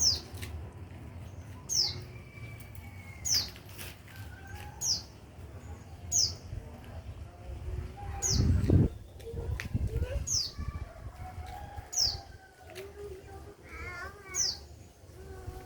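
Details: White-eye tutor recording for teaching songbirds: thin high descending whistled notes repeated about every one and a half seconds, with softer warbling phrases and some low rumbling background noise between.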